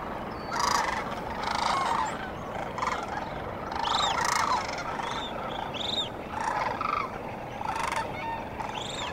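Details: Sandhill cranes at dawn along the Cosumnes River give repeated rolling, mid-pitched calls with ringing overtones. Several birds call in overlapping bursts about every second over a steady outdoor background hiss.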